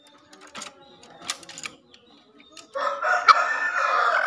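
A green junglefowl gives a loud, hoarse crow after a few soft clicks and clucks.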